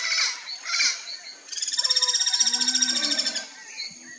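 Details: Guira cuckoo (anu-branco) giving a warning call to alert careless companions: two short harsh bursts, then a long buzzy rattle of rapid pulses lasting about two seconds, with softer chattering notes underneath.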